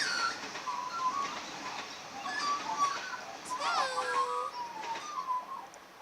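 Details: A pet female grey-backed Australian magpie sings in a garden, warbling in soft, fluting notes with a clear downward glide while a woman talks quietly nearby and offers seeds.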